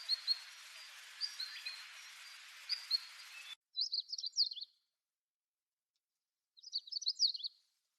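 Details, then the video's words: A Siberian long-tailed rosefinch gives two short bursts of high, rapid twittering notes about three seconds apart, after a stretch of noisy background with faint chirps from other birds. "Siberian Long Tailed Rosefinch"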